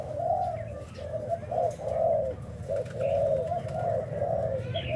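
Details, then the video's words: Breeding spotted dove from Thailand cooing: a continuous series of soft, low, mellow coos running throughout, over a steady low background hum. "Cu gáy thailand sinh sản"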